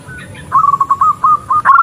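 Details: Female zebra dove calling for a male, a call meant to draw doves in: one quick run of about ten clipped, level cooing notes, ending with a sharper accented note.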